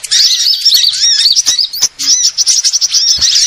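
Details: Lure recording of assorted sunbirds: continuous high, tinny chirping and rapid trilled twitters, with a brief dip midway.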